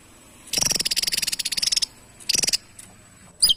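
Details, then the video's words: Javan tesia singing: a lengthy, steady rattle of rapid high clicking notes lasting over a second, a shorter second rattle, then a brief sharp descending chip at the end. "TESIA JAWA GACOR SETIAP HARI"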